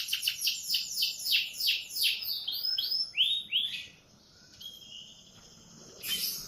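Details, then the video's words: Morning canary song: a run of fast descending swooping notes, about three each second, slowing and dropping lower before a quiet pause and a few faint high notes. "Kicauan kenari di pagi hari"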